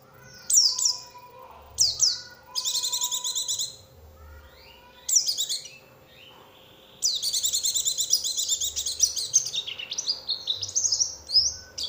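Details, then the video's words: Lure recording for Oriental white-eyes, meant to make other white-eyes reply: quick high descending chirps, then long stretches of dense, shrill, rapid twittering at a very high pitch. "pancingan suara untuk pleci agar mau kluar isian"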